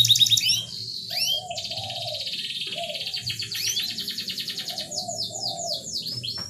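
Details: Canary song used to rouse a canary slow to mate: a loud opening trill, swooping notes, then long pulsing rolls and a string of falling whistles, with gentle low warbles underneath.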